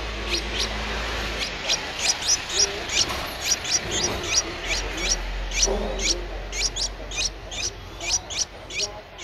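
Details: Young Streak-eared Bulbul, 10 days old, in Ubon Ratchathani, Thailand, on 12 April 2023, calling in quick, insistent high chirps that rise steeply, grouped in rapid runs of two or three, with low hum early on.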